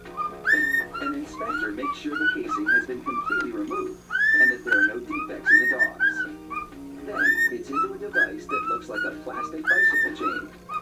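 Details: A pet male cockatiel, greeting his owner home from work after leaving his cage, whistles a lively string of clear, rising and falling notes, mostly the Andy Griffith theme, over a faint hum.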